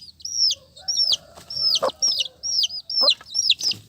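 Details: Close, loud peeping of dyed chicken chicks: strong, high, falling cheeps repeated about twice a second, with faint low tones and a couple of soft knocks beneath.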